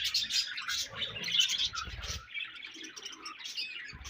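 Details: Budgerigars chatter in a dense, continuous stream of overlapping high chirps and warbles, with some lower coo-like notes underneath.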